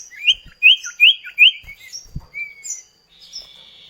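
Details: Common iora, kept bird, in a duet lure for other songbirds; four loud upslurred whistles in quick succession over faint high chirps, then a softer gliding note and low thumps in the background.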